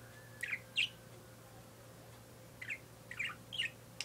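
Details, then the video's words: A pet parakeet indoors gives two quick high chirps, falls silent for over a second, then gives a rapid run of bright, scratchy chirps. A constant low hum runs underneath. "My Parakeet Making Noise"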